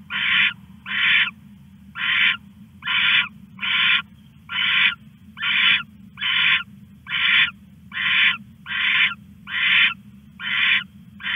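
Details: Owl stashing a rat after midnight on 21 August, caught on a live camera; a long run of about thirteen short rasping screeches, evenly repeated slightly faster than once a second, low hum throughout.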